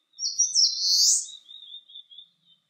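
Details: Eastern crowned warbler singing on a clear 19°C day: a bright, high warbled phrase sliding upward, then trailing into a thin, quieter buzzy tail.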